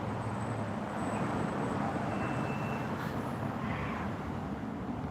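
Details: Steady roar of road traffic with a broad rumbling hiss and no clear animal calls.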